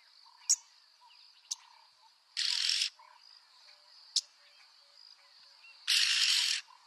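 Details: Yellow-billed oxpecker giving two harsh, hissing rasps of about half a second each, several seconds apart, with a steady high insect drone and a few faint chirps behind.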